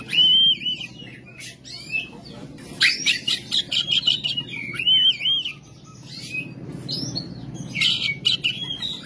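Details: An oriental magpie-robin sings rough song: clear level whistles and slurred notes interleaved with dense, harsh scratchy bursts and varied mimicking phrases, continuing for several seconds with a low background rumble.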